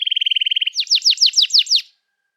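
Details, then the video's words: Canary singing for young birds to learn from: a fast, even trill of short identical notes, then about seven louder, sharply falling whistled notes before the song stops. "Kenari Gacor Panjang Cuit Cuit Emosi, Pancingan Kenari Paud Belajar Bunyi"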